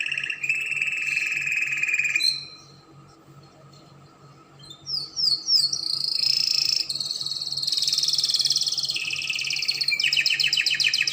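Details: Spanish Timbrado canary singing as a tutor for young canaries: a steady buzzy trill, a few seconds of near silence, then sharp rising chirps leading into long sustained rolling trills and a fast pulsed phrase.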